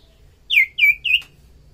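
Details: Common iora (sirtu cipoh) song used as a lure for small birds: three loud, clear whistles, each sliding down in pitch, spaced about a quarter second apart.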